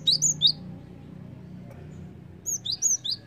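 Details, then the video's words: {'caption': 'Lure call of the Java sparrow for attracting birds: quick high chirps, three at the start, then a pause, then a second run of four or five bright, slurred tweets, with faint low hum behind.'} "PANCINGAN BUNYI BURUNG GELATIK"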